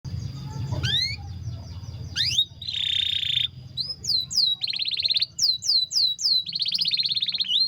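A canary sings a bright, high song of quick rising whistles, buzzy rolled trills and rapid repeated notes, with a faint low hum beneath.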